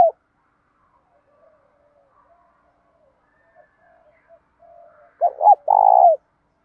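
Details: After several seconds of near silence with faint murmurs, a spotted dove coos in the 'đồng' style with some 'thổ', used to rouse other doves: two short hoots, then a long pulsing coo.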